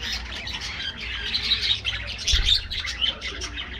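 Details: Aviary budgies twittering densely, with fast high chirps and squeaky warbles overlapping in a continuous chorus.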